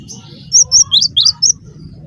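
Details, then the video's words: Cinereous tit, a gelatik batu lure call meant to make other birds answer: a burst of about six sharp, very high chirps within one second, some rising and some falling, over a steady low hum. "semua gelatik bakal NYAUT dengarkan suara ini"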